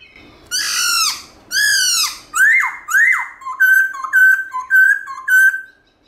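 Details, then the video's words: Black-throated laughingthrush singing a wild-type song in the morning: two long, rich downslurred notes, then two upsweeping whistles, then a rapid series of short, clear whistled notes in a bouncing rhythm. "Khướu Bạc Má Hót Giọng Rừng ĐẢO GIỌNG Buổi Sáng Cực Hay"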